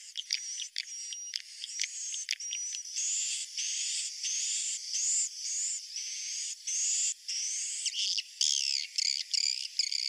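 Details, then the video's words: Swiftlet roosting call meant to draw swiftlets in: continuous high chattering of short, rising whistled chirps mixed with buzzy notes. It comes in bursts split by brief gaps and grows busier toward the end. "suara inap burung walet"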